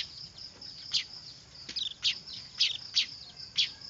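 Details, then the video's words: Weaver chicks calling noisily, used as a lure: about six short, bright high chirps spaced roughly half a second apart over a constant thin high tone. "Suara anakan burung manyar ribut cocok buat pikat"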